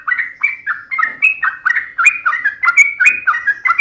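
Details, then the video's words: Sooty-headed bulbul in a fighting-style song: crisp, liquid whistled notes falling and rising in quick succession, about three per second, steady and loud. "SUARA trucukan gacor TARUNG ROPEL PANJANG"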